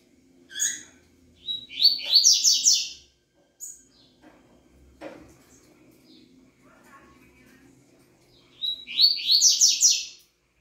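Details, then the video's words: A double-collared seedeater gives a few separate high chips, then a rapid run of slurred, buzzy downward notes. After a quieter gap with a click and soft murmurs, it repeats a similar phrase near the end. A faint background hum continues throughout. "Coleirinha 100% Fibra"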